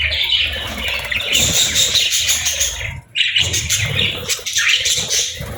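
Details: Budgerigars raising their chicks, gentle feeding moments; busy chatter of high chirps and warbles from several birds, pausing briefly near the middle before resuming.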